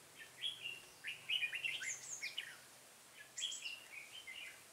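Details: Captive decoy red-whiskered bulbul delivering two quick runs of lively warbled notes, sharp upward and downward slurs tumbling together, the second run after about a second of quiet; faint low hum underneath.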